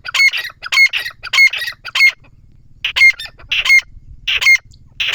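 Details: Grey francolin calling loudly: harsh, ringing squawking notes repeated in quick groups, with a steady low hum underneath.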